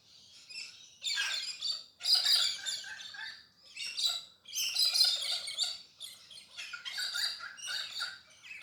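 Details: Galahs, pink parrots, calling in the early morning in urban Perth, Western Australia; dense overlapping harsh, screechy bursts come in rapid runs with brief pauses, several birds calling together.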